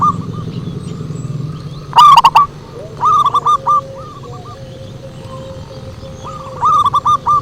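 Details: Zebra dove lure song: three bursts of rapid, clipped cooing notes in a mid pitch, the loudest at the start, with a faint steady tone between bursts over a constant low rumble.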